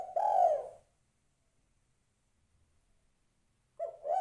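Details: Female spotted dove calling to a male: one mellow, hoarse coo lasting about half a second, followed by a long silence, then the start of another coo near the end.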